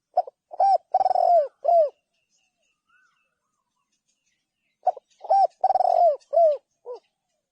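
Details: Spotted dove repeating its cooing phrase twice, each built from quick soft notes, a long buzzing middle coo and falling endings, separated by about three seconds of quiet.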